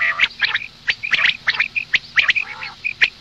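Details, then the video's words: Female common quail calling in the morning: short high pips, single or in quick pairs, mixed with harsher nasal squawks that have a lower ringing tone, given irregularly about once a second. "Madi batair ki awaz suba ke liye مادی بٹیر کی آواز"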